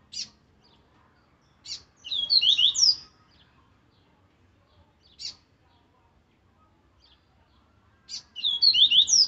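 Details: Aggressive Laranjeira-style song of a double-collared seedeater, played for training: two fast phrases of high, sharply slurred whistles, each led by a short high note, about six seconds apart, with silence between.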